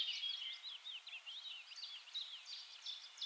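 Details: A willow warbler (Phylloscopus trochilus) in the Netherlands sings a run of soft, sweet, high notes that slur and flow together with little pause, against a quiet background.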